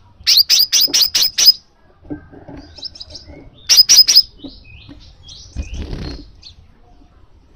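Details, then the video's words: Crimson sunbird call used to trigger a pet sunbird into singing: a rapid run of six sharp, high chips, a pause, then three more chips, followed by faint scattered notes and a soft rustle. "suara pangilan burung kolibri sepah raja, memicu kolibri sepah raja anda jadi gacor"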